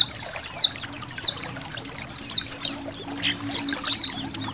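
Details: Indonesian white-eye colony against running water. Scattered bursts of high, downward-slurred chirps rise above a low, continuous water murmur.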